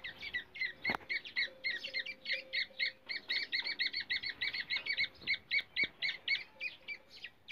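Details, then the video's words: Rapid harsh double chirps of black francolin, India, forest, a call used to lure and trap francolins, repeated evenly around four times a second throughout, with one loud click early on. "teetar ki awza teetar pakdia ki tarika teetar voice Kala teetar"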